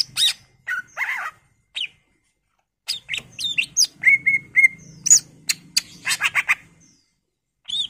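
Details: Greater green leafbird in full song, with a rich varied repertoire used as a lure to prompt other birds to sing: bursts of high whistled and chirped notes with a short steady whistled trill mid-clip, separated by brief pauses, with faint low rumbling behind.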